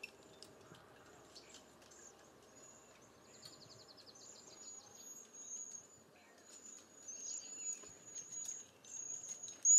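Cedar Waxwings give very high, thin, lisping whistles, some drawn out and slightly trilled, repeated throughout. A soft hiss of background noise runs underneath.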